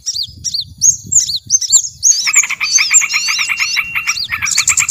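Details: Lure recording to attract small birds: sharp high whistled notes, some hooked and falling, sounded in quick bursts, then a dense rapid ticking chatter below joins after two seconds and runs continuously to the end.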